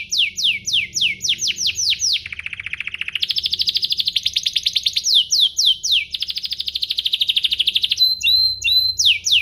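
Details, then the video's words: Canary singing to provoke other canaries to sing: rapid series of descending sweeping notes, a low buzzy trill, then a long fast rolling trill and brief whistled phrases. "Pancingan kenari biar gacor"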